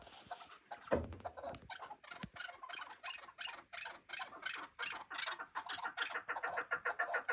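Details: Young Chukar partridges chattering in quick, rhythmic strings of short clucking notes that grow steadier and louder toward the end. A low thump comes early on, and a faint constant high whine runs throughout.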